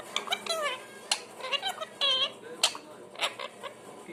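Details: Pet parrot producing varied sounds, a quick run of chattering, speech-like harmonic syllables, some wavering and some clipped, with brief clicks between them.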